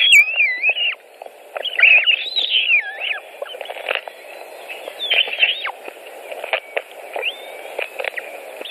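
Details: White-tailed eagles at a nest in Latvia, 23 June 2018, around 16:01 during a feeding: thin, high, wavering whistled calls that slide up and down, with scattered clicks and taps over a steady low hiss.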